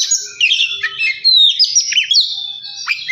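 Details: Oriental magpie-robin song meant to stir up and provoke a kept bird: a dense stream of high whistles, trills and slurred notes with hardly any pause.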